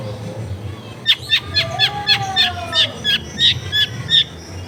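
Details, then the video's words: Long-tailed shrike recorded near a home in a densely populated area, repeating sharp clipped chirps more than once per second, while a faint, smooth, lower whistle rises and falls in the background over a low hum. "SUARA JERNIH CENDET"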